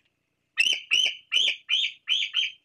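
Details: Young bald eagle perched near the Fraser Point nest on 26 July calls to its parents for food between preening, giving thin, high, squealing notes repeated about twice a second.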